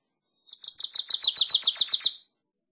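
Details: Wilson's warbler, Cardellina pusilla, sings a fast rattle of around fifteen sharp high notes, building in loudness and accelerating slightly before ending abruptly.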